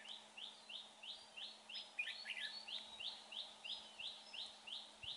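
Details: Red-whiskered bulbul at a trapping spot, a bird with a fine voice: evenly spaced, bright, downslurred chirps repeated about three times a second, briefly overlapped by a tangle of extra notes midway.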